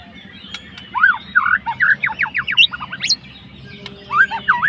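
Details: Murai batu or white-rumped shama, a fighter bird, singing to provoke a rival: a loud burst of whistled swoops and fast chopped notes, then rising slurred whistles, over a low background hum.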